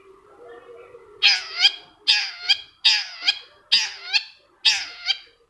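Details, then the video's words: Long-tailed Shrike (cendet) used as a lure to make another shrike sing: five harsh, rasping double notes, roughly one a second, each a scratchy burst followed by a shorter second rasp. "PANCINGAN CENDET MALAS BUNYI SEKETIKA CENDET LAIN LANGSUNG NYAUT!!! | Singing of shrike bird"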